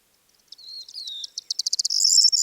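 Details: Corn Bunting, early morning on 21 April 2024 near Divnoye village, northern Stavropol steppe (Manych), calm air, backing singing larks: a few soft ticks speeding into a dry, jangling, chirring rattle like shaken keys, about two seconds long.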